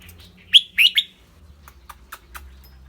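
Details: Red-whiskered bulbul giving a clear-voiced burst of three loud, bright, slurred whistled notes in quick succession, then a string of faint dry ticks in a quiet setting with low hum beneath.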